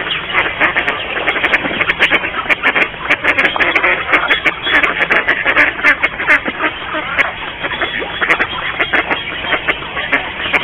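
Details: A busy flock of mallards in a garden in Mikorzyn, Poland, gives dense, overlapping quacks and nasal chatter without pause, many birds calling at once.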